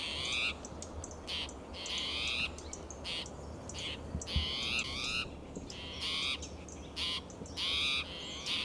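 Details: Agitated spotted towhee on a June morning in Del Monte Forest, California, with a second towhee answering more softly: about a dozen loud rasping, rising calls, some doubled, alternating with fainter replies over low ambient rumble.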